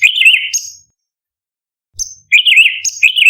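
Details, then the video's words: Orange-bellied leafbird, called cucak cungkok, in 'tembakan' song meant as master material for contest birds: one warbled trill ending in a high note, a long silence, a single sharp high note, then two rapid chattering warbles. "Cucak Cungkok Istimewa ~ Tembakan Istimewa Masteran Burung Lomba - Orange Beliied Leafbird"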